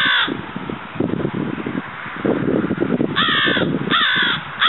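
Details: A Florida crow (Corvus brachyrhynchos pascuus) gives about four harsh, nasal caws, one at the start and a quick group near the end, between stretches of rustling background noise.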